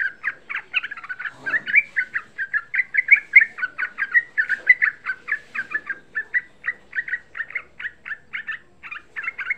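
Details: A young yellow-vented bulbul chatters nonstop in quick, bubbly, mid-pitched notes, several each second, with a brief rustle early on; used as a lure call to get other bulbuls to sing.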